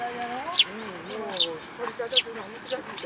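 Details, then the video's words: Sparrows visiting a feeder in a plum tree at a Tenmangu shrine on 21 June 2022, a newly arrived fledgling among them. Three sharp high chirps come about a second apart, with a person talking steadily underneath. "梅の木の餌場に来る雀達 新入り君の雛鳥"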